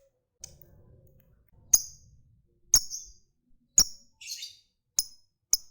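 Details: Lovebird uttering sharp ticking notes, a fighter kept to set off other lovebirds' ngekek trilling. Six high, needle-like chirps land about once a second, with one short scratchy flutter of sound among them.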